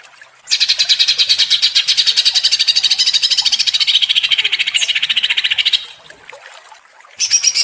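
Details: Agitated greater green leafbird giving ngentrok singing, a rapid stuttering chatter of high buzzy notes held for about five seconds, then a short pause before the chatter starts again.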